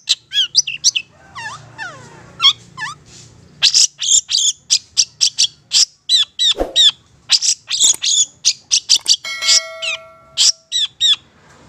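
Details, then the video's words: A Madura long-tailed shrike in full, energetic song pours out a fast, varied stream of harsh buzzy bursts, sharp chirps and high whistled phrases, barely pausing throughout. "Suara Cendet Pentet"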